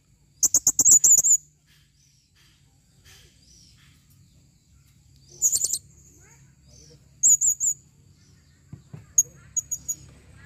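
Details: A female blue-crowned hanging parrot calls in short bursts of rapid, high, sharp chips and squeaks, separated by pauses of a few seconds, then a few thin single notes.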